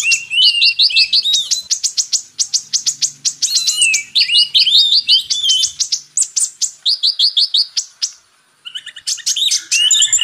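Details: Purple-throated sunbird song used for training magpie-robins: an unbroken stream of thin, high chips and quick warbled trills, rattling on energetically, broken by a short pause near the end before resuming.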